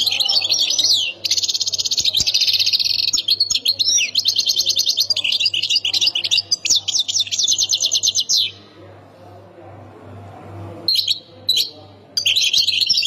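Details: Goldfinch from the Khemis Miliana area in Ain Defla province delivering a long, dense song of rapid high twitters and rattling trills. It falls silent for about two seconds, then resumes in short bursts over a faint background hum.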